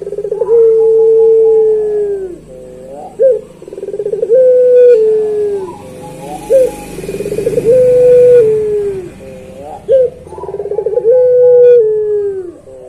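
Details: Repeated long-song phrases of a puter pelung dove, each a throbbing roll into a held, slowly falling low hoot, about every three seconds, with faint background hiss.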